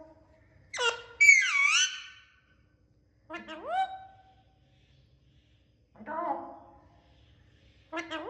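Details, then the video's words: Talking Indian ringneck parakeet, also called Alexander parrot, saying the word mithu and making natural sounds: short squawked phrases with sweeping, rising and falling harmonic tones, four bursts separated by silent pauses of one to two seconds. "Talking parrots making natural sounds and saying mithu | Alexander parrots | Indian ringneck"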